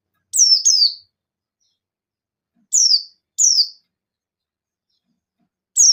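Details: Buxton's white-eye giving rapid challenge calls meant to draw a response from other white-eyes: sharp, high, downward-slurred notes, mostly in pairs, separated by irregular pauses of one to two seconds.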